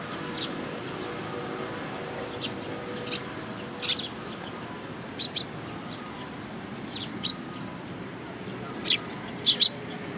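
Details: A flock of sparrows gathered at food at a Tenmangu shrine, 11 April 2018, giving scattered bright chirps, sometimes doubled, that grow more frequent toward the end over a steady low murmur.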